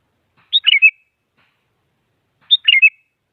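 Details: Two brisk chirping phrases of a sooty-headed bulbul, each a quick cluster of notes finishing on a short whistle, repeated about two seconds apart, meant to stir a quiet rival to sing.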